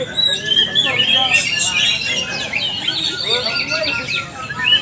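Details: Greater green leafbirds in a joint training session, singing in the lively 'ngalas nembak' manner: fast runs of bright whistles, rising and falling slurs and quick repeated chips, about four notes a second, voices overlapping.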